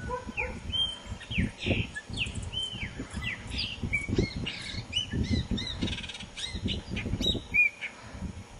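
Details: Blackbird singing outdoors: a run of varied clear whistled and warbled phrases, with rising and falling notes and short pauses between them, over a steady low rumble and a faint high hum.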